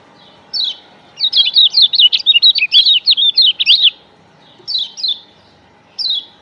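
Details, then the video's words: Lombok yellow white-eye (kecial kuning) lure song: high, thin twittering, a brief chirp, a fast jumbled run of about a dozen sweet notes, then a few scattered chirps. "Pancingan Kecial Kuning"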